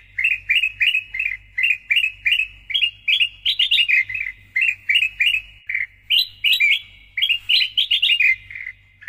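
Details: Loudly singing Sooty-headed bulbul, called kutilang emas, recorded as masteran and lure audio: evenly spaced chirpy whistled phrases about twice a second, broken by higher, faster trills, ending abruptly over a faint hum.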